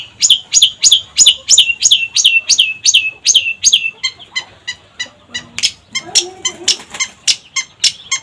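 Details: Long-tailed shrike in full voice for a lure recording: a fast run of grating chattering notes, about three per second, turning denser and more varied toward the end.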